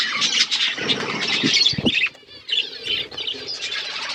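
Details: Budgies chattering over food, high squeaky chirps and warbles from several birds, mixed with low pecking and knocking sounds and a short quiet gap midway.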